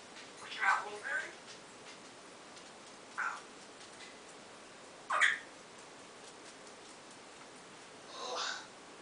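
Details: Pet African grey parrot repeating a newly learned 'owww' sound, a series of four short, quieter wailing calls scattered over several seconds, each briefly rising then falling, against a faint hiss with no other voices.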